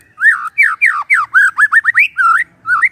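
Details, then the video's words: White-rumped shama singing in the morning, used as a lure to stir silent shamas into song: a string of clear whistled notes, each sliding up and down, delivered in quick bursts with brief gaps. "Pancingan PAGI-PAGI AGAR MURAI GACOR❗ murai diam pasti ikut NYAUT EMOSI❗❗"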